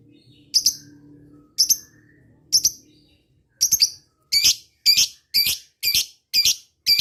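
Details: Lovebird giving ngetik-style calls to lure rival birds: sharp, high, clipped chirps, first spaced about a second apart, then quickening to a regular series of double notes; otherwise quiet.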